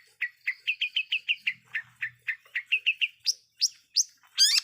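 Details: Lure song of a long-tailed shrike, meant to make rivals angry: a fast, steady series of short chirps, followed by several rising high notes and a final rough burst.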